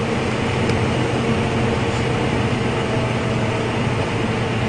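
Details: Steady loud broadband rumble, like an engine running or a vehicle driving, fills the recording with no animal calls.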